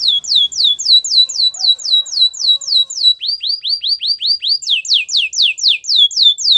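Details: Canary singing continuous tours of clear falling whistled sweeps, about four per second, shifting to lower curved notes midway and then a higher, denser run of slurred descending notes.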